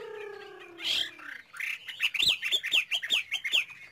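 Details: Caged Chinese hwamei singing: a squeaky opening with a sharp note, then a run of loud, repeated slurred whistles sweeping up and down, about five per second.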